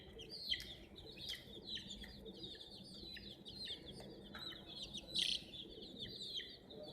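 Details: Baby chickens near a toy crane chirp in a steady overlapping chorus of high, thin, downward-sliding peeps, broken by occasional brief knocks and one louder burst.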